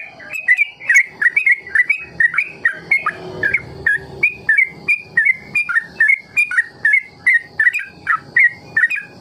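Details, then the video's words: Yellow-vented bulbul used as a tutor to lure other bulbuls into learning long rolling song: a rapid, steady series of bright, bubbly, slurred mid-pitched notes, about three per second. "Trucukan KEJORA Sangat Ampuh Memancing TRUCUK Belajar Ropel"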